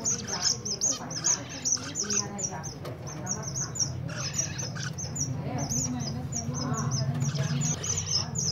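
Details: Zebra finches in the winter season: a dense flock chorus of short, nasal, high chirps packed closely together, about two or three a second, over a steady low hum and background rumble.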